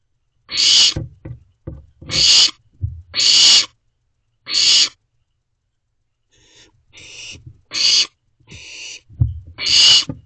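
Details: Young owls calling from inside a nest box around midnight in June: a series of loud, raspy, hissing screeches of uneven length and spacing, interrupted by soft knocks and shuffling, with a brief quiet stretch midway.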